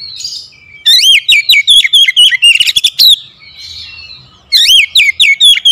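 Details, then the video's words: An oriental magpie-robin, a kept bird said to sing only reluctantly, gives two energetic bursts of sharp, rising and falling whistles at a fast pace, separated by brief softer warbling. "KACER HARIAN MALAS BUNYI SEKALI PANCING LANGSUNG GACOR"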